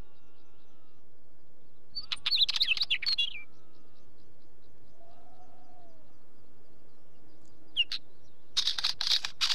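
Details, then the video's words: Wheatear singing short scratchy, jumbled phrases mixed with clicks and a squeaky rising note, separated by long silent gaps, ending in a dense burst of rattling notes. "Wheatear song"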